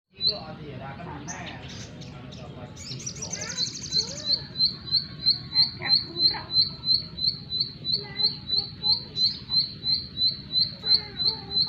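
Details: Bar-winged prinia song: a long run of short, bright, high chirps repeated steadily about three times a second, preceded by a brief jumble of mixed twittering notes, over a low background rumble.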